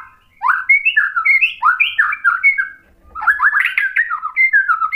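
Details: Varied white-rumped shama song, played to trigger a rival into singing back: a fast continuous stream of rising and falling whistled notes, broken by one brief pause before a denser, more tangled burst.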